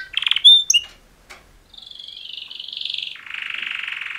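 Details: Male canary mating song from a pair of champion males: a few bright chirps and a pure whistle, a pause, then long buzzy trills that hold steady and drop lower near the end.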